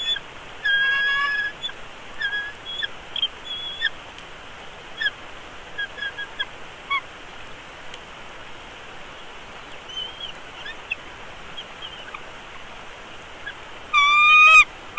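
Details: Bald eagle chick at the nest in Big Bear Valley, hatched 3 March and fed on 17 March 2022, gives scattered short, soft peeps and whines for many seconds, then ends with one loud, sustained harmonic cry.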